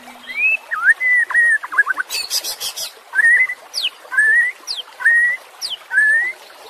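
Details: Training audio of White-rumped shama song for caged birds: repeated short whistled phrases roughly once a second, each a rising slur, with one harsh buzzy burst early on.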